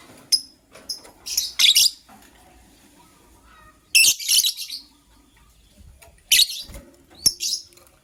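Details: Gray and yellow-green lovebirds chattering in the morning, one gray bird ready to lay eggs: bursts of harsh high chirps and squawks in irregular clusters separated by quiet stretches of a few seconds.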